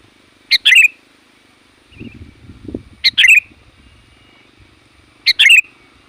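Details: Sooty-headed bulbul giving its bold, loud lure call for wild bulbuls: three sharp-noted, descending warbled phrases spaced about two and a half seconds apart, with a burst of low rumbling noise between the first two.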